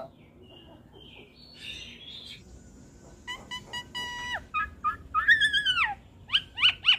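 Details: Caged Asian pied starling × Nias hill myna hybrid, recorded as training song: soft quiet warbles at first, then loud stuttering falling whistles, a wavering arched note and a final trio of sharp chirps.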